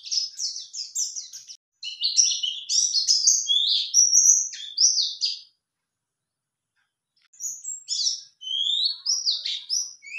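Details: Male white-eye responding to a lure call, pouring out fast high twittering warbles with sliding whistled notes, then a two-second silence before a second burst of rising slurred whistles.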